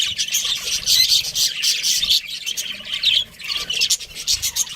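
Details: A pet breeding pair of budgerigars keeps up dense, almost continuous scratchy chattering and squawky chirps, the bursts overlapping with hardly a pause.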